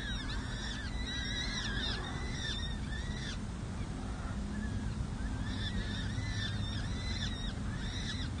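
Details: At a city hall nest in San Jose on 7 May 2024, four peregrine falcon chicks aged six to seven days are fed by their parents on a nest cam. Rapid bursts of thin, high arched peeps come in two clusters over steady low rumble.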